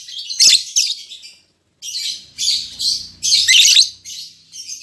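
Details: Captive lovebird pair, albino MM male with lutino MM female newly matched, uttering rough high-pitched chatter in repeated bursts, with a faint low hum in the background.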